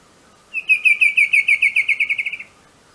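Bicolored Antvireo giving a fast, even series of about fifteen high notes over two seconds, slightly slowing and fading at the end; quiet background otherwise.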